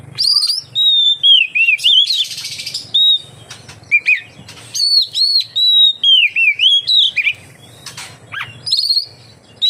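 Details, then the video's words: Oriental magpie-robin (kacer) in full song, played to draw other magpie-robins into singing; varied loud whistles, looping slurred phrases and abrupt downward sweeps, a brief noisy rasp early on, short gaps throughout. "suara burung kacer untuk penarik / pancingan kacer gacor santai"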